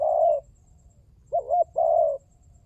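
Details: Spotted dove call played as a trapping lure: one sustained burry coo, a pause, then two short rising notes leading into a second long, slightly falling coo.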